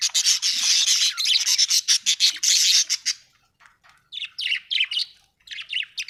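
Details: Happy budgie chirping loudly: a fast rattling series of intense high chirps for about three seconds, then after a short pause quieter paired chirrups repeated in small groups.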